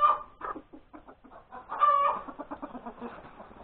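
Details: Hen calling after laying her egg, Sunday, January 31, 2021, breakfast time. A loud opening note, a run of soft clucks, another strong stretched squawk, then clucks trailing off quickly.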